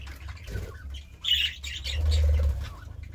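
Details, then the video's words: Budgerigar lets out a loud harsh squawk, then softer chirps, against a strong low rumble. "Budgie Sounds part 36"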